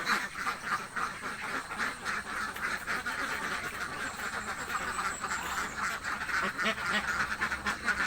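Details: Village ducks, very hungry, keep up a continuous rough quacking, many birds calling at once in a steady rapid rhythm throughout.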